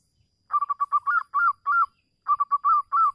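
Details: Zebra dove, a local bird, calling in a lure recording meant to make other doves sing: soft, low, bubbling coos in quick stuttering runs, with a few longer rolling notes and a short pause midway; otherwise quiet.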